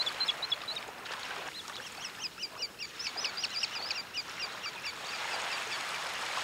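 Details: Sanderling calling at Quiberon, France, in May: many short high sharp notes, singly and in quick clusters, from several birds, over a steady wash of surf.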